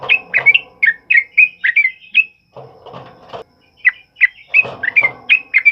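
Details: Loud ropel uplik singing from a sooty-headed bulbul, played to train other songbirds: fast runs of sharp, bubbly chirps, broken by a pause with low rattling noise before the quick notes return.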